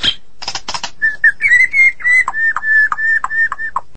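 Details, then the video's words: White-rumped shama of the Medan type singing vigorously: a few dry rattling clicks open, then a sustained run of clear whistled notes held near one pitch, punctuated by short downward-slurred accents about every third of a second. "Murai Batu Medan Super Gacor"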